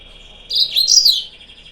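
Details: Lure recording of a yellow-fronted canary meant to provoke rival birds: a compact phrase of fast, high slurred chirps, rising and falling, about three-quarters of a second long, with a steady faint whine behind.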